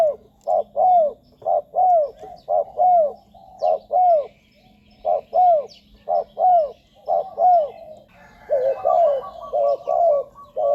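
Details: Spotted dove cooing, played to attract wild doves to ground, perch or decoy cage; a long steady run of paired low coos, short then longer and downward-sliding, roughly one pair per second, a faint chirp near the end.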